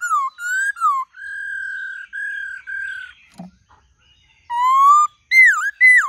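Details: Varied whistled song of a white-cheeked laughingthrush: opening slurred phrases, three long level whistles, a short pause with a low click, then rising and dipping loud notes.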